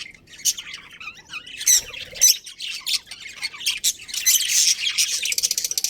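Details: Colony budgerigars, a breeding pair, chirp in irregular high, raspy bursts with brief pauses, ending in a fast stuttering run of clicks and warbles.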